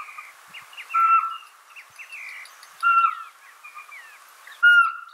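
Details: Owls calling: a loud, clear whistled note with a slight downward tail, repeated roughly every two seconds, set among busy, quieter chirps and short whistles from other birds.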